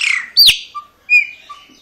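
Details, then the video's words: A pet chopi blackbird recognizing its owner, indoors around bath time, gives loud, liquid whistled notes: a sharp rising-and-falling sweep, a pause, then a bright descending whistle with softer chips between. "Meu Passaro Preto Crauna me Reconhecendo"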